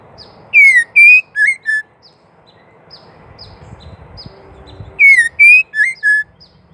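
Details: Call of a female White-rumped shama, used to provoke males into singing: a burst of four clear whistles, slurred and dropping in pitch, faint high ticks between, repeated about four seconds later over a low background hum.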